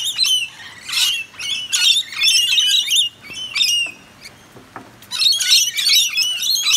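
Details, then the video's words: Wet wild Rainbow Lorikeets in the rain at a balcony in eastern Australia: a flock's dense, shrill screeching chatter in rapid harsh bursts, a brief quieter gap, then the noisy squabbling resumes. "Lorikeets in the Rain"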